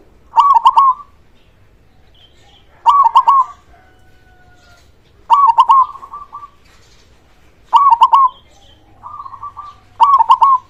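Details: Strong-voiced local zebra dove, used as a lure to get other doves singing: five loud rolling, click-started coo phrases repeated roughly every two and a half seconds, with a softer phrase before the last, in quiet surroundings.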